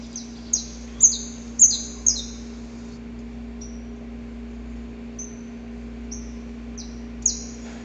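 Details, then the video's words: Male saffron finch recorded in nature, singing his long predawn song to court a female. Loud, high, downward-sweeping notes come in a rapid run, then fainter spaced repeats, with a steady low hum behind. "Canto Para Esquentar o Canário da Terra"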